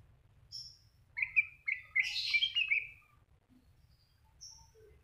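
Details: Greater green leafbird song: a rich burst of warbled, chattering notes packed together mid-clip, with scattered thin high chips before and after and a faint low rumble throughout.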